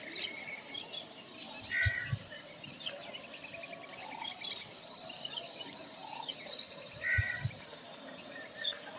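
Brown rock chat giving bursts of high, scratchy chirps and short whistled notes in irregular clusters, with a couple of soft low thumps and faint outdoor background.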